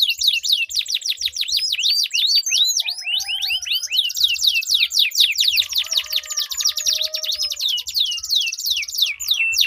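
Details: Canary song in a duel of two or more birds, used to draw stalled canaries into singing: dense high rolling trills of fast repeated swooping notes, overlapping phrases, a long buzzy roll near the end.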